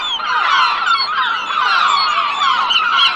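A flock of gulls calls at once: many overlapping harsh, mewing and yelping cries in a steady clamour, with no pauses and no other sounds.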